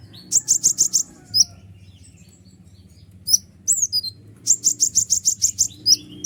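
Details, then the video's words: Sunbird, locally called kolibri ninja, singing noisily in a recording meant to provoke other birds: rapid runs of very high, sharp ticking chirps, about three per second, broken by a quiet gap, then renewed bursts over a low hum. "suara ribut kolibri ninja gacor nembak full durasi"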